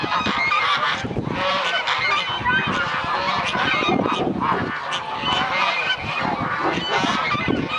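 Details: A flock of geese waking on a sunny winter morning at a goose refuge in Dalen, honking continuously, many overlapping nasal, harsh calls at once in a dense, clamorous chorus with no pauses.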